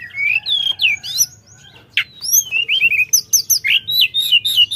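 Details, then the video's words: Sooty-headed bulbul singing energetically: a varied run of high, clear whistled slurs and quick rising and falling notes, a sharp burst near the middle, then a fast string of short repeated chirps toward the end. "Tledekan Gunung Gacor Dor Gada Obat"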